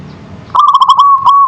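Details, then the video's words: Single manggung phrase from a local zebra dove: a fast trill of bubbling coos that settles into a smooth, steady held note, clear against a quiet low background. "Suara Perkutut Lokal Manggung"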